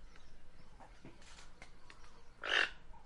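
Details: Guianan toucanet giving one loud, harsh, croaking note near the end, preceded by fainter scattered clicks and notes over a low background hum.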